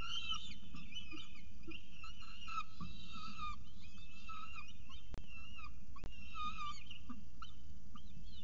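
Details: Morning scene at the CSU Orange nest, 24 October 2018: a peregrine falcon with pigeon prey gives short wavering calls about once a second, with two sharp knocks and steady low noise.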